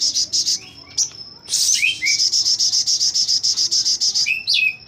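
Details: Crimson sunbird kept in captivity at a magpie-robin breeding farm, singing actively with wings spread, a fast 'tembak'-style tutor song: sharp high chips and short downslurred notes, then a long rapid buzzy trill of even, closely spaced high pulses.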